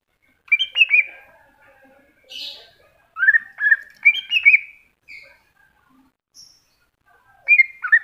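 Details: Greater green leafbird, known as cucak hijau, giving masteran song: scattered whistled phrases with sliding notes, a soft hiss between them and long quiet gaps, closing with a quick twittered phrase.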